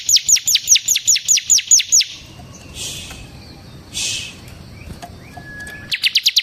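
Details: Semi-type bar-winged prinia singing continuously, kept as a tutor and lure bird: a brisk run of about ten high, sharp downslurred notes, a quiet gap with faint rustles, then the rapid series resumes.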